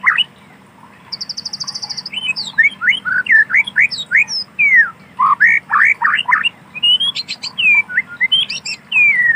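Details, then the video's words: White-rumped shama singing in wild forest: a fast high buzzy rattle, then a rich run of loud varied whistled and slurred notes with short pauses, over a low background hum. "Suara asli alam burung Murai Batu"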